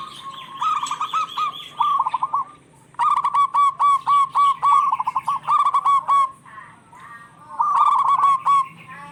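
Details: Local zebra doves singing actively and answering each other, used to coax stressed or quiet doves into song: bursts of rapid trilled coos, several voices overlapping in quick succession with short pauses between phrases.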